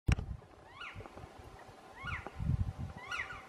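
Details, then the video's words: Black woodpecker at its display site: three short, clear harmonic calls that bend down and up, spaced about a second apart, over a steady low rumble of wind or handling noise. "желна на току"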